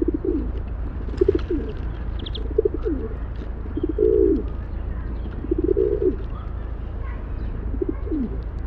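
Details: Low, rolling rock pigeon coos repeated roughly every one to two seconds, some swelling into longer throaty phrases that dip at the end, with faint higher chirps early on and a constant low hum beneath.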